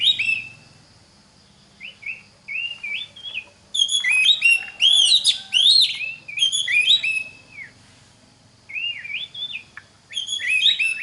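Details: Oriental magpie-robin song for training other magpie-robins: soft curling whistles build into a long, loud stretch of rich, swooping, ringing phrases, then quieter wavering notes and a renewed bright burst at the end.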